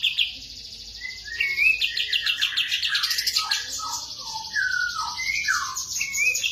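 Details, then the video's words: Sooty-headed bulbul song: liquid, whistled, slurred phrases, some rising and some falling, repeated at irregular intervals beneath a steady high, buzzy chatter from other birds, with low rustling noise throughout. "KAPAS TEMBAK GACOR"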